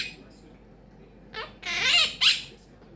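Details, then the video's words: Quaker parrot kept as a pet, known to mimic phrases such as making bacon pancakes; rising and falling voice-like syllables swell into a loud harsh squawky burst and a second short cry. "CHATTING LITTLE QUAKER PARROT"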